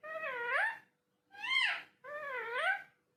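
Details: Talking parrot voicing three long, plaintive meow-like wails in quick succession, each sliding down and back up in pitch, about one per second.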